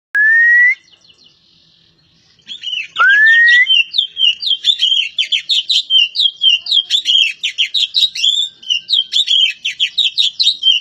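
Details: Oriental magpie-robin (kacer poci) from Java: a clear rising whistle, a pause, a second rising whistle, then a long rapid run of sharp, chattering whistled notes repeated several times a second.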